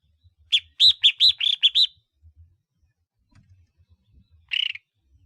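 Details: Red-whiskered bulbul of the collared-neck type used as a decoy bird. It gives a quick run of six bright, arched chirps, then a pause and one more chirp. Soft low thumps sound in the background.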